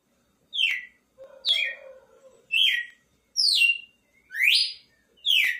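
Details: Red-cowled cardinal singing with loud whistled phrases roughly once a second, each sliding down from high to middle pitch, some rising; a faint lower hum underlies the second phrase.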